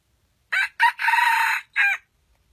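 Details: Red junglefowl, one of a wild pair drawn in by a trapper's lure, gives a brisk crow: two short notes, a drawn-out middle and a clipped final note.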